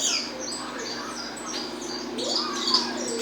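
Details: Peruvian saffron finch in 'estalando' song, delivering quick high chirps and sharp clicking notes, over a lower rising-and-falling whistle from another bird.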